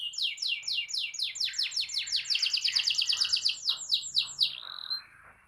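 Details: Canary song played to coax a silent canary into singing: long fast series of bright descending trill notes, accelerating and getting louder in the middle, ending in a short high whistle then quiet.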